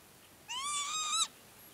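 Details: Single Northern Lapwing call at Herdla Bird Preserve, Norway, from a bird on an elevated flat patch of ground: one drawn-out, rich, slightly rising nasal note with a quick downturn at the end, in quiet surroundings.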